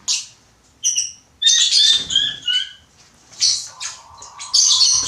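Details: Pet button quail kept indoors, giving its little crowing sound, likened to a chicken: bursts of high, thin, downward-slurred whistles with buzzy edges, clustered in short runs separated by brief pauses, with a steady low hum late on.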